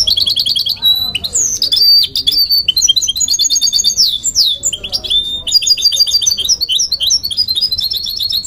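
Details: Goldfinch × canary hybrid, a goldfinch mule, singing: a continuous, loud varied warble of high twittering notes, quick trills and sliding whistles with short buzzy rattles, running without pause.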